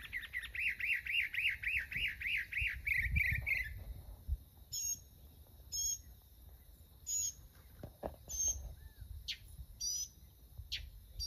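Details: Mockingbird singing: a fast run of warbled, wavering notes repeated many times over nearly four seconds, then sparse thin high squeaks and chips spaced across the rest.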